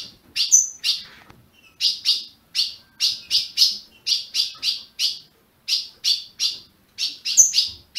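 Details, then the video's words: Ultramarine grosbeak from a Brazilian breeder, chirping to get a caged azulão going: clear high chips in groups of two to four, separated by brief silences, over a very quiet background. "Azulão piando, 30 min. para esquentar seu azulão"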